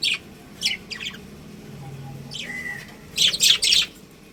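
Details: Budgerigars, a pet breeding pair, give short high chirps in separate bursts, with a brief level whistle near the middle and a dense cluster of scratchy chirps toward the end.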